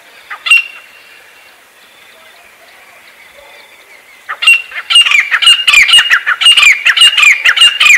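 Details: After a few seconds of near quiet with a single sharp note, a Pakistani grey francolin breaks into a fast, high-pitched run of strident, repeated squawking notes that carries to the end.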